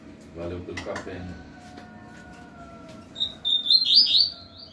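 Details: Double-collared seedeater kept facing a rival bird: a man talks first amid a steady low hum, then a quick high twittering phrase of chirps and short slurs breaks in near the end.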